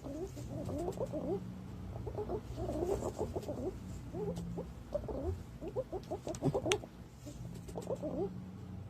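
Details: Green pigeon calls for luring, from 2022: repeated wavy fluting whistles in loose phrases with short pauses, several notes sliding upward, with a faint constant low drone and occasional clicks.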